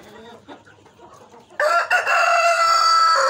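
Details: Native (deshi) chicken, a rooster giving a loud, long, harsh crow lasting nearly two seconds after a brief break, preceded by soft low clucking.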